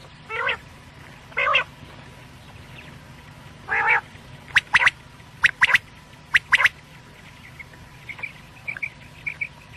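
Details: Quail calling, meant for night: three nasal, harmonic calls spaced about a second apart, then sharp, quick double and triple notes that repeat irregularly, with faint short whistles near the end.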